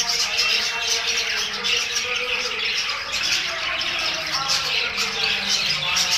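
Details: A group of budgerigars chirping: steady, busy chatter of many overlapping high chirps, warbles and short squawks running for the whole stretch.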